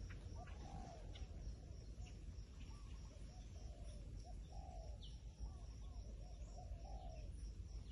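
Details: Soft repeated coos of a wild pigeon, gently rising then falling notes roughly every second, fairly faint beneath a continuous high-pitched insect chorus and low rumbling noise.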